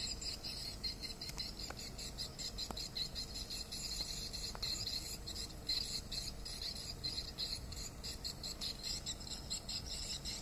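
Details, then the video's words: Distress call of swiftlets: an unbroken, high-pitched, insect-like trill of rapid chirps in regular pulses, with a few scattered clicks. "Swiftlet duress Call"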